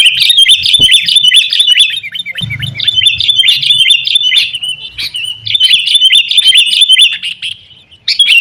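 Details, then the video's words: Sooty-headed bulbul in an agitated fighting bout, a recording used as a lure to make caged birds sing: continuous, noisy chatter of quick, bouncing whistled notes that barely pauses, fading briefly near the end. "kutilang gacor TARUNG buat pancingan kutilang agar bunyi"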